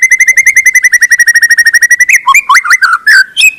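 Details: White-rumped shama (murai batu) song meant to make silent birds respond; a steady run of quick whistled notes, then a varied phrase of sliding, twisting whistles.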